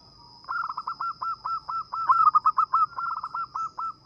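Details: Zebra dove of local stock, vocal and sweet-voiced, suited for luring birds. A steady, rapid chain of short, clipped coos lasts about three and a half seconds, with a high continuous whine in the background.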